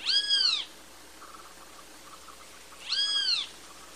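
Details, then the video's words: Great kiskadee giving two drawn-out, arched, harmonic-rich calls about two and a half seconds apart, each rising then falling, over a quiet background hiss. "Canto do Bem Te Vi"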